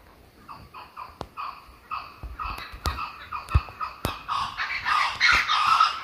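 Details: Laughing kookaburra recorded while walking at Jim Jim Falls, Kakadu National Park, Australia: soft rhythmic hoots build steadily into a boisterous, harsh cackling chorus, with occasional sharp clicks.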